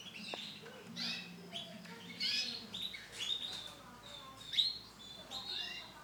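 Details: Female canary of brown colour giving scattered high chirps and brief thin whistles at irregular intervals, with a low hum and a few soft knocks.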